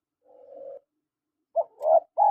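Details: Spotted dove calling, male and female: a soft low purring coo, then after a pause two short rough coos and the start of a louder, steady coo.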